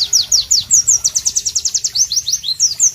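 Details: White-eye, known as Pleci, delivering clear melodious song amid tropical ambience; quick regular series of high descending whistles, about eight per second, changing to slower slurred notes.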